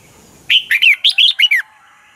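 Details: Dueling song of a red-whiskered bulbul, used as a lure bird: one tight phrase of about six clear, slurred whistled notes, each dipping and rising, delivered within about a second.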